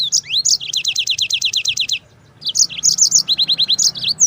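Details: Yellow-fronted canary giving its long-rolling song, kept as a master for teaching canaries and shamas. A fast, high trill of evenly repeated notes lasts about two seconds, then pauses briefly before another run of sharp trilled notes.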